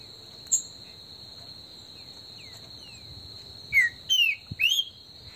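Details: A green-winged saltator (Saltator similis), warming up in the bush, sings a short phrase of three loud, slurred whistles, each sweeping up or down, over a steady high-pitched insect drone.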